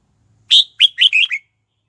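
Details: Decoy red-whiskered bulbul singing to lure wild birds in to fight: one quick phrase of five bright, slurred chirping notes, the first loudest and the rest falling slightly, over about a second of otherwise quiet.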